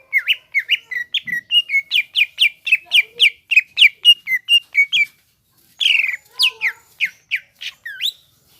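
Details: Greater green leafbird singing vigorously: a fast run of sharp whistled notes, each sweeping up and down, about four per second, a brief pause, then louder rising whistles and slurred notes.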